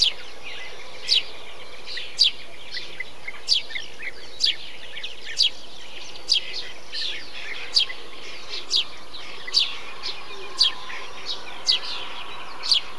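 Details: Eurasian tree sparrow in a bee-eater colony giving sharp, high chirps repeated roughly once a second in an even series, with a busy layer of softer chirping and a constant background hiss.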